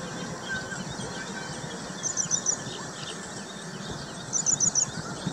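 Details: Baya weaver busy building its nest at Hoskote, Bengaluru, giving two brief bursts of high, thin chirps, four or five quick notes each, a couple of seconds apart, over a steady outdoor hiss.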